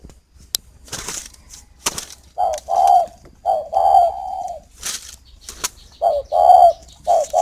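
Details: Spotted dove kept at a dove-keeping garden in Ba Vì, Hanoi, northern Vietnam, giving low mellow coos in short grouped phrases of two or three notes, repeated over and over, with sharp clicks and knocking noises between phrases.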